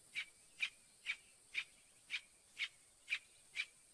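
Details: Northern mockingbird singing: one short note near the same pitch repeated eight times, about two per second, each a brief bright chip, against a quiet background hiss.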